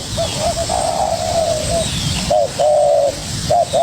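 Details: Young spotted dove sparring with a decoy bird: a couple of short coos lead into a long, soft, wavering coo, a pause, then a louder arched coo and quick clipped notes, with background hiss.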